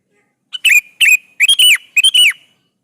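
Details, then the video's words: Sooty-headed bulbul in full lively song, used as a lure to make other bulbuls answer: three quick bursts of bright, bubbly whistled notes with slurred falling ends, each burst about half a second, no other sounds. "KUTILANG jenis apapun Pasti nyaut di Masteri suara burung kutilang gacor ini"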